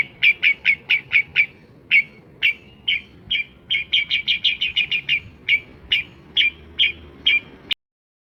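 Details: Long-tailed shrike, called pentet, in mimicry-filled song; a rapid, fairly even string of short, bright chip-like notes, about two per second, grouped in bursts, ending abruptly.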